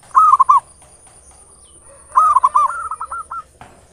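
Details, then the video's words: Local zebra dove, ngayer nulop style song used as a singing lure: one short bubbling coo phrase, then a longer one that runs into a rolling, gradually fading trill, with a soft high whine behind. "Perkutut lokal PANCINGAN SUARA NGAYER NULOP ampuh merangsang cepat EMOSI BUNYI GACOR"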